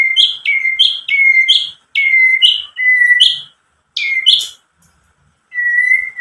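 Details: White-rumped shama lure song for triggering answering birds. A loud flat whistle with a high flick is repeated about every 0.8 seconds, in groups separated by silences, ending on one long whistle.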